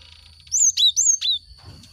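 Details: Cinereous tit, played to stimulate caged birds to sing: four loud, high, clear whistled notes in quick succession, each sliding up and then down, ending abruptly.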